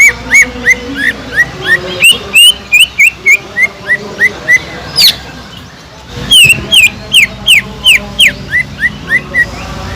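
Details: Sumatran leafbird singing as a provoking call for listless birds: steady runs of short falling whistles about three per second, a brief rising squeal, then quicker slurred whistles resuming.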